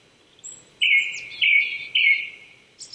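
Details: Song of a Japanese thrush at 800 m elevation in Chichibu, Saitama, Japan, one April 2019 morning: three strong, even whistled notes about half a second apart, each ending in a thin high squeak, with a faint high chirp between.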